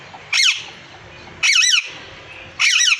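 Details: Male and female parrots calling with three loud, harsh, wavering squawks at roughly one-second intervals.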